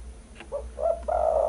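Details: Spotted dove coo used for luring birds: a short soft note, then two coos, the last long and sustained, all in a low mellow register.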